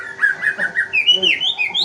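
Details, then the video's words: White-rumped shama song used as a lure to provoke other birds into singing: a brief run of clear whistled notes, rising and sliding upward toward the end, with a faint steady hum beneath. "pancingan murai batu gacor"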